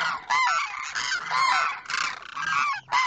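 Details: Demoiselle crane pair, male calling toward the female on the other side; continuous grating, honking trumpet calls in long rough phrases, barely pausing, roughly once a second.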